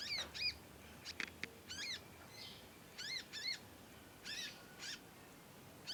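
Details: Fledgling conin practising sound: high, strained chirps with a falling bend, coming in pairs and small clusters, interspersed with short clicks and pauses.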